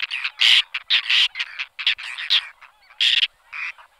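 Whiskered Tern giving a rapid, irregular series of harsh, rasping calls, a dozen or so in four seconds, with some overlapping as if from more than one bird.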